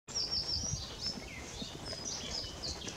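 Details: Western Bonelli's warbler (Phylloscopus bonelli) at Parque da Quinta do Convento, Fundão, in April 2019, gives thin, high chirps and a brief upslurred note scattered through three seconds over a steady background hiss.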